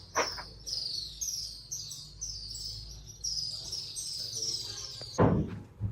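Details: Many unseen swallows chirp loudly together from the roof of the Katas Raj temple in Pakistan, a steady stream of high, thin twittering notes over a low background hum, possibly near sunset. A sharp knock comes near the end.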